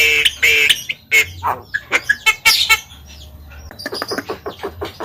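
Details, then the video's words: An Asian pied starling gives a drawn-out hoarse whistle and harsh, chattering squawks, then a run of quick rapid clicking notes that grow louder toward the end. "Suara Jalak Kebo Terapi Biar Semakin GACOR"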